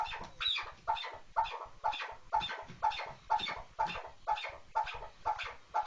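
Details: Chukar partridge giving a steady, evenly spaced run of clucking notes, about two a second, each a short hoarse chuck with a clear tonal onset, in a quiet setting.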